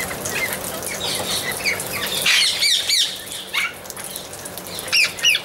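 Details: Harsh squawks and chattering calls of Amazon parrots, irregular and overlapping, with a cluster of loud screeches in the middle and sharp single calls near the end.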